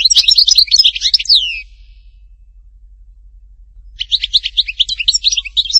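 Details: European goldfinch singing at Htatba, Tipaza, with a phrase of tumbling twittered notes ending in a downward slur, a pause of over two seconds, then another rapid bright twittering phrase.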